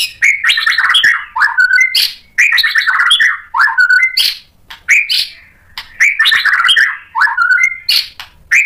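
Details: White-rumped shama singing to provoke other shamas: a repeated pattern of chattering notes and a clear whistle, the phrase recurring about every two seconds.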